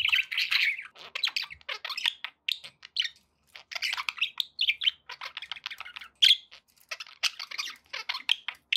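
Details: Domestic budgerigars chirp busily, a rapid run of bright twitters and warbles with one sharp squeak in the middle.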